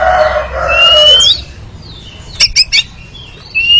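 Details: Oriental magpie-robin (kacer) training recording for ngeriwik singing: a harsh rasping phrase with a rising whistle, then three sharp clicks and a final upslurred whistle.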